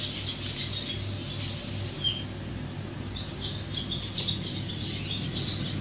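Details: Swallows twitter from a nest likely above or below a window, giving quick, thin, high chirps in loose bursts over a steady low indoor hum.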